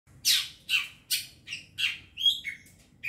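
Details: Young wild long-tailed shrike, recorded as a lure sound, giving harsh, scratchy high notes spaced about every half second, some buzzy and some with a short whistled tone, over a faint low hum.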